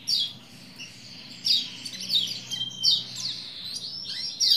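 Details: A male Lombok white-eye (pleci lombok), played to provoke other birds to sing, recorded 21/1/21, gives rapid high twittering phrases with thin descending notes, in bursts every one to one and a half seconds, over a faint low hum.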